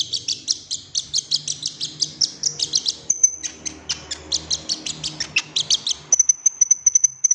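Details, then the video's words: Golden-fronted leafbird recorded as a singing lure to get other leafbirds to sing and show their repertoire. Sharp, high chips repeat rapidly for several seconds, then a thin sustained whistle follows, with a low background hum. "PANCINGAN KONIN AGAR GACOR BONGKAR ISIAN"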